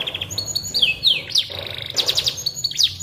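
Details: Canary song for magpie robin training: short high trills, steep descending whistles and a bright buzzy burst, delivered in lively bursts over a faint low hum.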